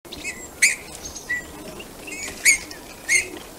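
Eurasian bullfinch giving short, soft piping call notes about every second or two, with fainter high chirps between them.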